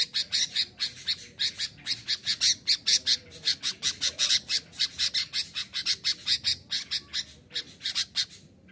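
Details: Sooty-headed bulbul sounding off to provoke wild rivals into striking a decoy: a long, quick string of scratchy, rasping chirps, about three per second, trailing slightly quieter toward the end.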